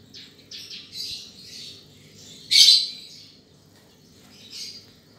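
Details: Horsfield's bush lark (Mirafra javanica), a field bird prized for its song, gives a run of thin, high chirps and buzzy trills, with one louder harsh burst midway and a final short phrase.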